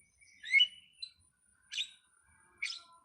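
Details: Starling (jalak) giving a few separate notes: a rising slurred whistle, then two short bright chirps spaced under a second apart, on a quiet background.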